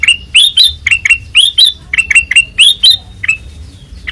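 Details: White-eyed kutilang emas delivering open ngeplong song: a dense string of loud, clear whistled notes with upward flicks, nearly two per second, trailing into a fading note before a final whistle.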